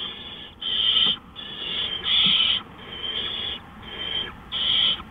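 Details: Owl at night on April 20, 2013, around 3:15 AM, giving long rasping hisses, about six drawn-out noisy bursts with brief pauses between them, steady background hiss.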